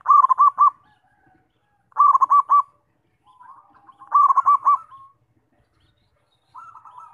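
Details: Zebra dove song used as a lure to make other doves sing: three quick bubbling coo phrases with soft purring notes between, a faint fourth phrase at the end, no other sounds.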